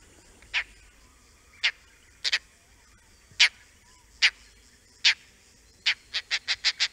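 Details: Oriental dollarbird recorded in the Andaman Islands, giving harsh, rasping single notes about a second apart, then a quickening burst of six grating chacks at the end.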